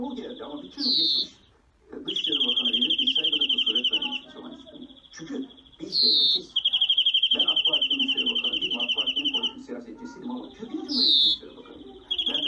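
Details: Singing European greenfinch delivers drawn-out, rapidly pulsed trills, each bout opened by a short buzzy downslurred wheeze, three cycles in all, over background talking.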